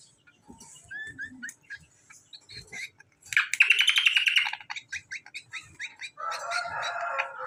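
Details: Hand-fed greater green leafbird: soft whistled notes build into an energetic burst of fast, buzzy twittering, followed by spaced chips and a rough, grating chatter.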